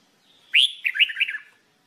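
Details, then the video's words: Red-whiskered bulbul song, recorded as singing training: one continuous warbled phrase opening with a bright rising whistle and running into a rapid series of bubbling, wavering notes lasting about a second. "Red Whikered Bulbul Jambul bulbul SINGING training"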